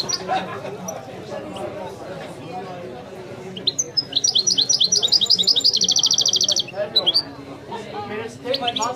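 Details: Authentic Widani song of a European goldfinch: after scattered twitters, a sustained, rapid, buzzy trill of repeated metallic notes lasts about three seconds, while people chatter in the background.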